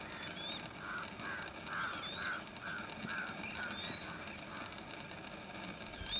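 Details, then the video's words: Lesser whistling duck with ducklings near Udaipur, Rajasthan, India: a run of short, soft, mid-pitched notes repeated roughly every half second, over thin high whistles from other birds and a steady low mechanical hum. "Lesser whistling duck & Ducklings"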